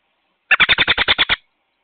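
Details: American robin at its nest with young on May 22, picked up by a wireless outdoor solar security camera; a rapid burst of nine sharp, evenly spaced notes lasting under a second, with no other sounds.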